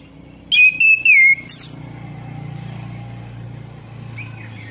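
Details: Orange-headed thrush, song played to stimulate a bird that has stopped singing: a few loud clear whistled notes in a quick burst, one long falling whistle and a higher slurred note, then only a low background hum.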